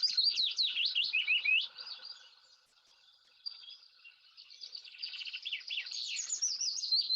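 A willow warbler sings two soft, sweet phrases, each a run of notes slipping gently down the scale, separated by a brief quiet pause.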